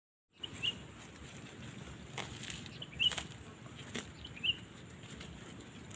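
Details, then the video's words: A wild quail pair foraging among oil palm seedlings in grassy cover, responding to a caged decoy quail used for trapping, give three short, high chirped notes, a second or more apart, over a steady broad hiss and a few soft knocks. "sundulan sepasang puyuh liar bertubi2"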